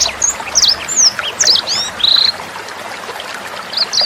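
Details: Sanger bird song recorded with trickling water, intended to train other songbirds and young sangers: a few high whistled slurs and a buzzy note in the first half, followed by a quieter pause and two final chirps.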